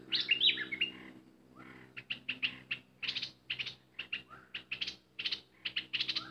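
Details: Bulbul used as a decoy bird, described as worked up and singing hard: bright, rapid chirps and short whistled notes in quick bursts, a busy jumble opening, then clipped notes spaced through the rest.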